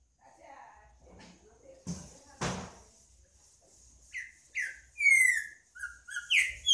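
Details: Soft murmuring voices and two sharp knocks come first, then a green-winged saltator bursts into song with loud, ringing whistles that slide downward, delivered in a rapid series.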